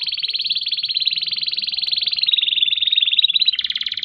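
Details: Canary song of the long rolling kind, used for training other birds: one continuous rapid trill of evenly pulsed notes, bright and steady throughout, shifting slightly in tone near the end.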